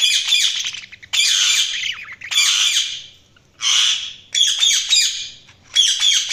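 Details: Loud budgie chirping: bursts of harsh, rapid warbled chatter separated by short pauses, about one burst every second.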